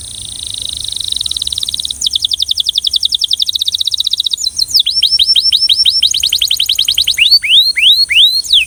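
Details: Belgian canary singing with a rhythmic song: a quiet opening trill, then a fast run of rapid repeated high notes, followed by slower sweeping downward whistles repeated in series.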